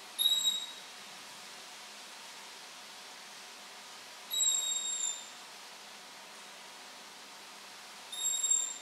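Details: Pet African grey parrot, newly kept indoors, recorded close up: three short, very high squeaky calls, spaced about four seconds apart, over steady low room hiss.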